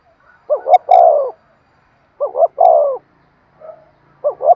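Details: Spotted dove decoy coo for luring wild birds, a rapid urgent phrase: two quick hoots, then a longer falling coo, repeated about every two seconds with a soft note between phrases.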